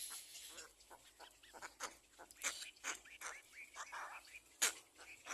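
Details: Little egret nestling, second nest, calling for food from its parents: scattered rasping squawks and short harsh notes at uneven intervals, one sharp louder crack near the end.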